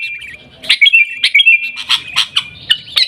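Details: Harsh, squawky bursts mixed with whistles from a sooty-headed bulbul singing Gaya Garuda style in Pidie, Aceh, the loud notes spaced roughly half a second apart after a quiet start.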